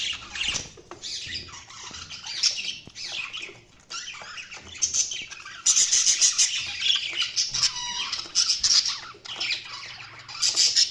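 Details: Budgerigars chattering nonstop: high buzzy chirps, squeaks and rapid warbling trills from a group, with occasional wing flutters.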